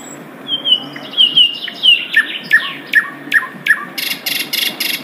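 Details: Asian brown flycatcher in the wild: thin high whistled notes, then five crisp downward chirps at a steady pace, followed by a dry buzzy rattle.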